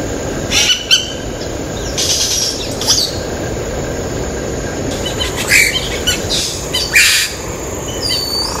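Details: Yellow-rumped cacique (Cacicus cela) at Ilha de Comandatuba, Bahia, Brazil, 12 October 2013: harsh broadband rasping bursts mixed with short high chirps and a few whistled notes, irregularly spaced, over a steady high insect-like whine.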